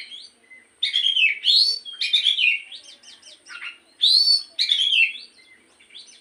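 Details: Black-throated magpie-robin singing in the morning, a lure for a caged bird: slightly quieter bursts of rich slurred whistles and harsh notes, grouped in phrases separated by short gaps.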